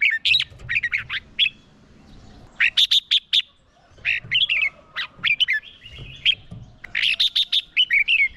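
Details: Red-whiskered bulbul decoy singing hard to draw in wild birds; loud clustered bursts of warbled, chattering whistles separated by short gaps, with faint low rumbling underneath.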